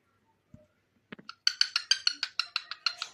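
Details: Cockatiel singing with a companion: after a few soft scattered notes, a fast run of about a dozen bright, harmonic chirps repeats roughly three times a second, steady and rather even in pitch, in a quiet indoor setting.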